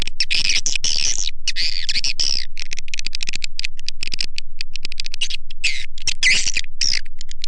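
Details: Lure call used to draw in swiftlets: raspy, buzzy chatter in long bursts, then stretches of rapid clicks and short chirps.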